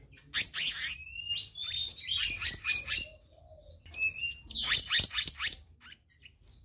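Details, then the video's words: Black-naped monarch lure recording: clusters of quick, rasping notes come in three bursts, linked by short, level whistles and a few high, slurred pips. "Masteran/Pancingan Kehicap Ranting Bahan Dijamin Langsung Nyaut"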